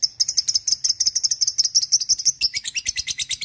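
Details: Fighter lovebird ngekek used as a lure for training: an unbroken run of sharp, high, squeaky chips, several a second, that turns harsher and buzzier near the end.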